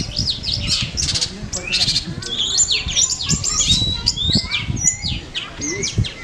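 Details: Long-tailed shrike in full varied song at a singing practice contest in Manden, mixing many imitated phrases: high whistles, rapid chirps and swooping notes. Low thumps and crowd noise sound underneath.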